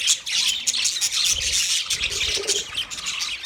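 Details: Thirty pairs of budgies in a colony fill the air with busy, overlapping high-pitched chirping and scratchy warbles, a steady chorus with faint low rumbling underneath.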